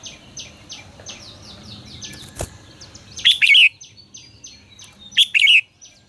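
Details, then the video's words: Red-whiskered bulbul used to train and lure birds, giving two brief bright warbled phrases about two seconds apart, with thin high chirps from other birds and a low background hum. "Luyện giọng cho chào mào hót hay"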